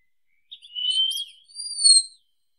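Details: Wallcreeper giving a long, thin whistle overlaid with brief high chirps, then a higher, clear drawn-out whistled note that dips slightly at its end.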